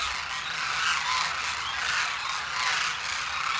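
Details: Wild demoiselle cranes, known locally as koonj, congregating in a large flock at Khichan, Rajasthan: a dense, continuous chorus of overlapping raspy calls that swells and fades over a few seconds, with no single bird standing out.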